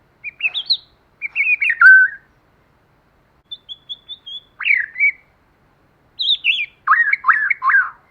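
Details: White-rumped shama singing in forest style: clear slurred whistled phrases, a short run of thin high notes, a dropping swoop, then loud rapid rolling notes repeated at the end, with silent gaps between phrases.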